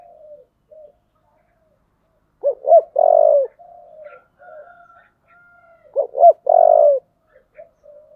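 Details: Spotted dove in 'giọng thổ' voice, a challenge call for fighting contests: a short double note and a long mellow coo, repeated twice about three and a half seconds apart, softer murmured coos between.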